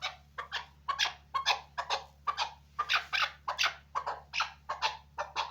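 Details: Chukar partridge kept as a hunting bird, giving a fast series of harsh, clucking notes, roughly two per second, in uneven bursts with no other clear sounds.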